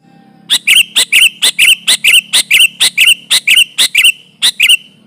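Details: Sooty-headed bulbul calling as a trapping lure, pressing a rival: a fast, even string of paired sharp chirps with short falling whistles, repeated over four seconds, faint low hum behind.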